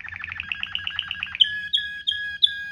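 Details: Waterslager canary song in the luxurious rolling style, used to tutor canaries: a quick pulsing roll, then four clear, bright whistled notes spaced about a third of a second apart.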